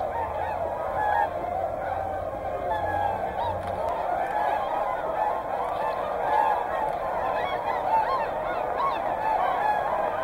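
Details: A dense chorus of whooper and tundra swans at Hyoko, Niigata. Overlapping honks and bugles run continuously, with brief louder trumpet notes emerging and a low hum in the first seconds.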